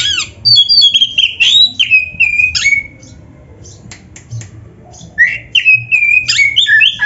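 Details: Oriental magpie-robin, a master recording for training: varied whistled phrases with downward slides and scratchy notes, a silent stretch of about two seconds, then a fresh run of bright whistles.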